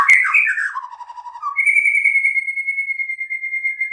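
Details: White-rumped shama song: a brief burst of tangled, chattery notes slides into a lower warble, followed by a long, level, pure whistle held for over two seconds.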